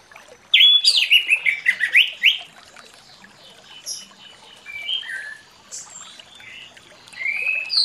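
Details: Orange-headed thrush singing in the morning in the long-phrased ngeplong style, played as a lure to get silent thrushes singing: a loud two-second burst of rapid, varied whistled and slurred notes, then scattered softer whistles and chirps.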